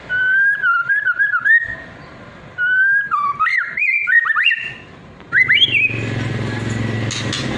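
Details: White-rumped shama of trotol and pastol types singing as a lure to provoke other birds; three bursts of wavering whistled phrases separated by pauses, the last cut short by steady broad noise and low hum.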